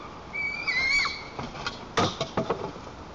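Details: A white-tailed eaglet in its nest in Lower Kama National Park, Tatarstan, on 21 July 2023, throwing a tantrum at its mother perched on a branch by jumping and flapping its wings: one high, thin, wavering whistle dropping at the end, then knocks and rustles.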